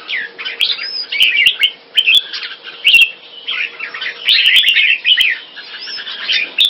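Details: Caged Red-whiskered bulbul kept in Singapore, a bird in French molt, singing in competition against other birds: busy, overlapping chattering and warbled phrases, with short sliding whistles, rising and falling in bursts throughout, several birds audible together, occasional sharp clicks.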